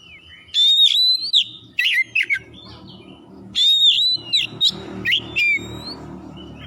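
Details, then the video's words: Oriental magpie-robin singing to stimulate other birds: two bursts of loud whistled phrases with sharp chips, separated by quieter pauses, with a low rumbling background. "masteran kacer gacor atau pancingan kacer biar bunyi"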